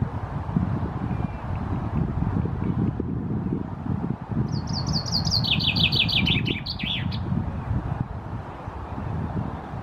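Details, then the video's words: Common chaffinch male singing from a tree perch in Helsinki, Finland, June 2018. After a quiet gap, one descending run of rapid chipping notes ends in a short flourish, lasting about three seconds over heavy, gusty wind noise. "Chaffinch perching in the tree, singing"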